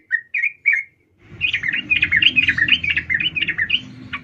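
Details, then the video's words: Sooty-headed bulbul female calling to a male. Three clear separate chirps open, then a busy stream of rapid, bubbling chattering notes over a rougher background noise. "trucuk Betina memanggil jantan"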